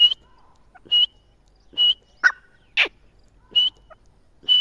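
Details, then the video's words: Partridge giving loud, harsh, clipped calls about once a second in an uneven series. Some notes are sharp and tonal, others broader and rasping, with faint softer notes in between. "teetar ki boli | teetar ki awaaz | teetar ki voice"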